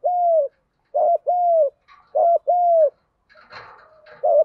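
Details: Decoy spotted dove in 'gù đấu' fighting-coo style, meant to stir up wild doves; long level hooting coos alternate with short clipped ones, low and mellow, followed by soft rustling and faint chatter.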